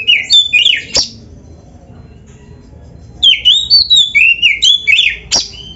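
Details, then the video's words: Oriental magpie-robin, full gacor isian song for prompting other birds to sing: twisting whistled phrases with a sharp click, a pause, then a lively series of bent, rising-and-falling whistles. "SUARA BURUNG KACER GACOR ISIAN"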